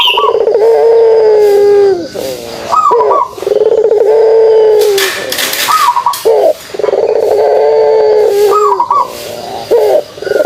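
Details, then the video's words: Pelung turtle dove giving its kugeruk call: long, steady, low hollow coos about two seconds each, separated by brief rising hiccup notes, repeated several times with little background noise. "suara kugeruk burung puter pelung"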